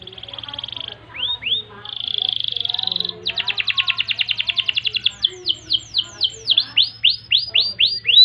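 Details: Canary in long song for tutoring: buzzy trill segments with a couple of swoops, a rapid rattling roll, then slower swooping downslurred notes; a faint low steady hum underneath.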